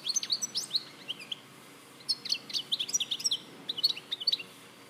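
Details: Goldfinch (jilguero) recorded at Larache in 2014: fast, tinkling high-pitched twitters and buzzy chips in two dense bursts, the notes tumbling over one another with a soft hiss behind.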